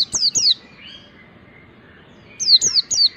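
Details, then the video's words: Mountain white-eye ngalas song for training other birds: two high descending whistles, a pause with a faint soft note, then four more quick down-slurred whistles. "pleci ngalas belajar materi ini bisa buat masteran segala jenis burung pleci"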